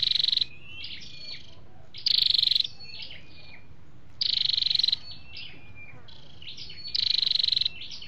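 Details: Flowerpecker sounds, male and female, used to lure wild birds: buzzy high trills recur about every two seconds, interleaved with thin whistled slurs and clicks.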